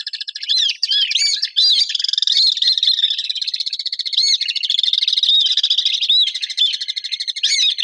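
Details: Swift calls: dense, high shrill chirps and trills repeated rapidly throughout, overlapping as from several birds, with no other sounds.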